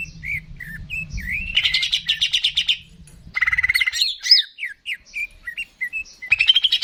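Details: To get birds singing, a greater green leafbird pours out soft whistles, a rhythmic buzzy trill, then a run of looping slurred notes and chips, with a low rumble early on.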